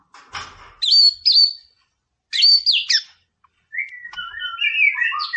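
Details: A white-rumped shama sings to rouse an opponent: paired loud, sharply rising whistled phrases with short gaps between them, then a sustained jumble of fluttering, sliding notes.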